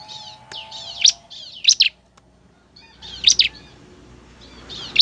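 A bar-winged prinia sings high, thin phrases of rapid buzzy trills broken by sharp ringing chips, with a short pause mid-way and a faint low hum behind.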